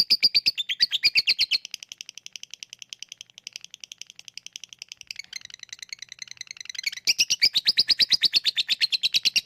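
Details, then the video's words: Lovebird 'ngetik' then 'ngekek' chatter, used as a lure to make lazy lovebirds sing: rapid dry clicking notes in a steady stream, softer through the middle, then a louder, faster burst of chattering near the end. "Ngetik lanjut ngekek@Pancingan untuk Lovebird yang malas bunyi"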